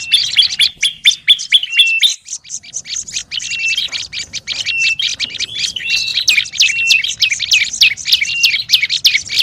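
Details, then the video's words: Noisy olive-backed tailorbird chatter used as a lure: fast bursts of sharp, high clicking chirps with occasional level whistled notes. A short lull after two seconds, then an almost unbroken stream of notes. "SUARA PIKAT BURUNG PRENJAK LUMUT RIBUT"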